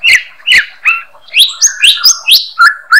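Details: Murai batu, or white-rumped shama, giving 'harian receh' daily song as a master for songbird training. Loud upswept whistled notes come about twice per second, paired with lower steady tones, sharp and ringing throughout.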